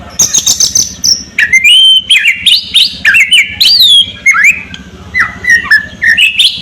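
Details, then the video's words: Murai batu, the white-rumped shama, singing a rolling, rough tembakan ngerol kasar with crackling kretekan notes: high thin whistles opening, then quick chattering runs of slurred, looping notes, repeated in dense bursts, with a faint low hum behind. "Murai Batu Gacor Tembakan Ngerol Kasar Dengan Kretekan Setan"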